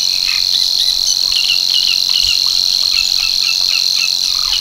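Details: Savi's warbler singing at Tancat de l'Illa, l'Albufera: a steady, high, unbroken insect-like reeling buzz running through the whole stretch, with faint short calls of other birds scattered beneath it.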